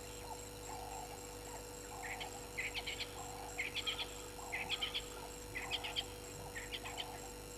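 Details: A francolin at a waterhole on Djuma Game Reserve, Sabi Sand, South Africa, at 18:00 on 21 October 2021, gives harsh, grating, chattering phrases, roughly one each second, over a steady electrical hum.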